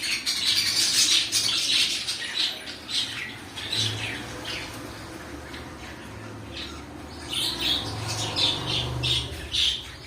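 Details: Household cockatiels keep up ten seconds of harsh, irregular screeching chatter, dense at first, pausing midway, then resuming in choppy bursts with low thumps underneath.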